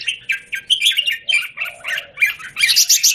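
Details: Square-caged red-whiskered bulbul, January 2019, giving short sharp chirped notes roughly every quarter second, building into a louder, buzzier burst at the end.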